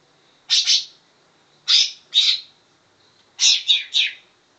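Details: Greater green leafbird delivering imitated grey-cheeked bulbul song: three separate bursts of two, two and three loud rasping notes, spaced by roughly a second of silence.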